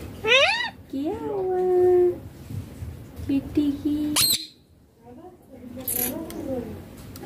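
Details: A baby rose-ringed parakeet mimics speech ("papa", "mummy") in a quiet room: a sharp rising squawk, then drawn-out nasal word-shaped syllables.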